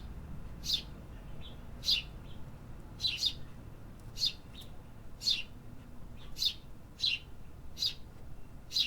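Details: Urban birds calling in the city: single high chirps spaced about one to one and a half seconds apart, occasionally paired, with a faint low rumble beneath.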